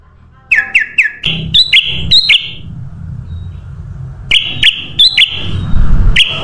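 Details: Sooty-headed bulbul lure song meant to attract birds: ringing, looping notes in quick groups, some slightly higher and sustained, over a steady low background rumble.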